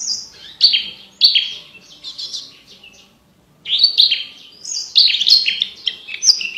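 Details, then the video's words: Javan bush lark in lively, clear song intended for tutoring contest birds; bursts of sharp descending chirps and whistles, a near-silent gap of about a second, then another dense run of varied notes. "MASTERAN BURUNG BRANJANGAN GACOR FULL ISIAN VOKAL JERNIH DAN KRISTAL COCOK UNTUK ISIAN BURUNG LOMBA"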